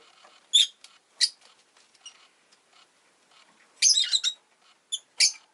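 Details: Pet rosy-faced lovebird, indoors with city noise nearby, gives shrill squeaky chirps in short bursts, including a dense chattering run near the end, set apart by quiet gaps.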